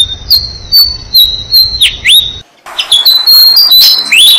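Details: Six-day-old Malaysian pied fantail chicks being fed by their parents in a jam tree, giving thin, high, squeaky calls, rapid and overlapping, some rising or dipping whistles, several a second; a brief gap midway.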